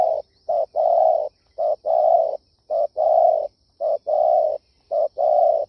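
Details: Spotted dove cooing, a call meant for luring wild doves: a short low coo followed by a longer, soft hooting coo, the pair repeated about every second, five times, in a quiet setting.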